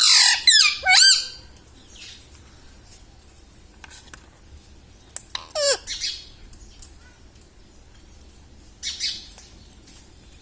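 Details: Talking pet parrot speaking words such as "Mummy" and "Papa": a loud burst of wavering, voice-like syllables at the start, another rising phrase midway, then long quiet stretches with faint hiss.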